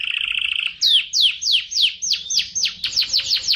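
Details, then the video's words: Atlantic canary master song for training other birds: a brief fast stuttering trill, then strong downward-slurred whistles repeated roughly three per second. "Masteran Suara Burung Kenari"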